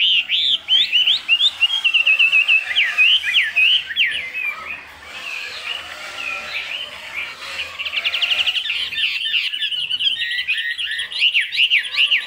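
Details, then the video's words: Caged Chinese hwamei in Vietnam, singing in the high 'cao cầu' style: a long, rich stream of varied whistled notes, quick upslurs and twisting phrases, nearly continuous with brief pauses, high and clear throughout. "Họa Mi Hót Cao Cầu"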